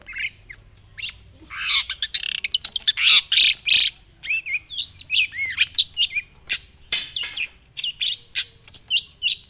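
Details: A white-breasted shrike sings a fast, scratchy run of harsh buzzy bursts that gives way to sharp whistled notes, rising and falling, over about ten seconds.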